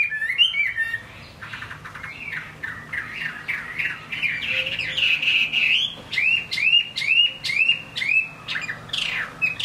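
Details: Caged Chinese hwamei in rainfall, opening with harsh, scratchy chatter before breaking into a series of clear arched whistles repeated about twice a second.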